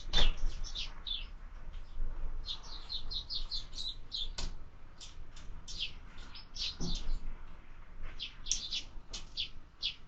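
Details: Sparrows at a feeder in the evening, recorded by a bird camera: many short, bright chirps in quick irregular bursts, several birds calling over each other, with a low background rumble and a few thumps.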